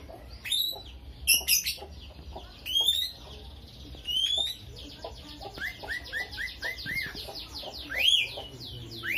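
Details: Lovebird singing its unique gacor song with starling-style fill: sharp high chips and upward-sweeping whistles at first, then a long run of quick clipped notes and falling whistled slurs.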